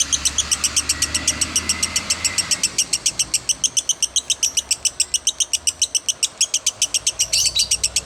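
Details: A long 'konslet' run from a lovebird, taped as master audio: about forty shrill, clipped chirps in an unbroken, evenly paced string, with a low background hum early on.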